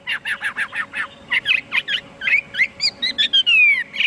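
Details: Singing Chinese hwamei: a quick series of rough, chirpy notes about six per second, then varied twittering phrases ending in a long descending whistle, with a faint constant hum behind.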